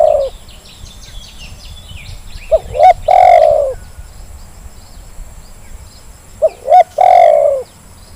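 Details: Zebra dove call played as a lure for lazy birds, the phrase given twice about four seconds apart: short notes building into a long falling coo, with faint high chirps from small birds early on.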